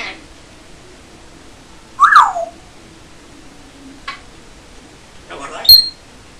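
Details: Pet African grey parrot, kept indoors, which talks and whistles. A single descending whistle is followed later by a brief high chirp, with a faint room hum in between.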